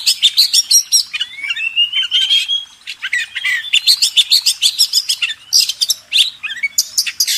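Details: Kacer (Oriental magpie-robin) master song for contest birds: energetic mix of rapid metallic chips, rolling twitters and gliding whistles, loud and nearly continuous.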